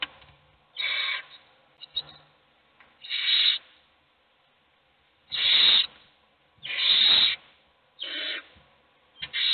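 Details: Owl chicks in a nest box, hungry while only one gets fed, give irregular harsh screeches of varying loudness, with gaps and faint scratching sounds.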